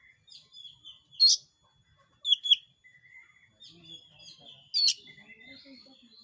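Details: Oriental magpie-robin singing as a lure to set other birds singing: varied whistled notes and slurs with a few louder sharp, high accents spaced about a second apart, faint background noise.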